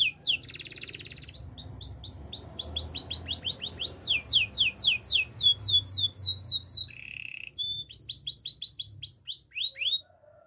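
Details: Singing Gloster canary delivering rapid series of sharp, down-slurred chirps, repeated several times a second, broken once by a short buzzy tour. A faint low hum runs underneath.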